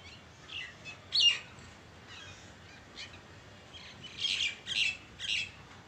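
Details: Two mynas perched together, one calling before the other joins, give harsh, chattering bursts, a loud one early, then three quick scratchy notes near the end, over faint background hiss.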